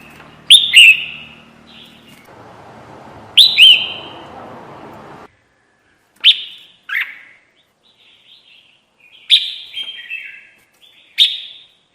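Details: Trapping lure call of a red-whiskered bulbul: loud chirped phrases with abrupt starts and short descending slurred tails, repeated roughly every three seconds, some clipped and shorter, with low background rumble early on.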